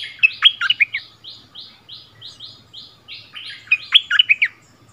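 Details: Bulbul used as a decoy, singing against a new local resident on its former territory, February 2021; a rapid string of brief chirps framed by two bright, gurgling phrases of sharp downward-slurred notes, repeated about three seconds apart.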